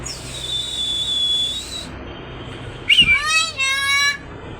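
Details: Caged hill myna, a talking bird still finishing its body moult, urged by its keeper to speak: a long steady high whistle, a pause, then a loud harsh note followed by a stack of descending whistled tones, with a man talking around it.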